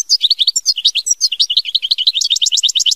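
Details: European goldfinch in full mama binette song: a fast, unbroken stream of high, liquid twitters and buzzy trills, notes rising and falling rapidly throughout.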